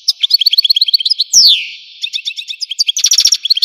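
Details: Algerian European goldfinch singing: fast, bright trill of evenly spaced chirps, then a long downward-sliding slurred note, then renewed rapid twittering.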